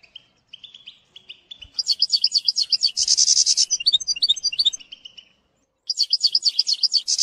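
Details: European goldfinch song used to train a young bird, with bitbita: soft twitters at first, then loud rapid high trills and a harsh buzzy burst. A short pause follows before another bright trilled phrase.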